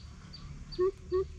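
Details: Greater coucal, described as a challenging rival, giving two deep, hollow, level hoots about a third of a second apart, over a low rumbling hum and faint repeated high insect chirps.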